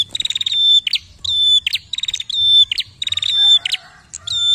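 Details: Prinia singing as a prompt for other birds: fast ticking stutters leading into long high whistles and buzzy chips, repeated about once a second.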